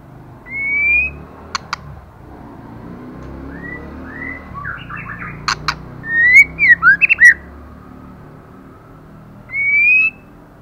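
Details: White-rumped shama female in moult, singing hard: sparse clear whistles separated by pauses, sharp clicks, and a quick run of warbled notes mid-phrase, ending with a rising whistle over faint low background hum.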